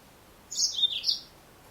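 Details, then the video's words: Female Yellow-fronted canary, Serinus mozambicus, giving one short high twittering phrase of about 0.7 seconds: quick chirped notes dropping from sharp high tones to slightly lower ones, then rising again, over quiet background hiss. "Mendengarkan suara burung Mozambik Betina"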